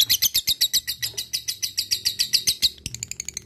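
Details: Lovebird ngekek song: quick, evenly spaced harsh chirps at roughly four per second, ending with a shorter run of thinner, higher notes.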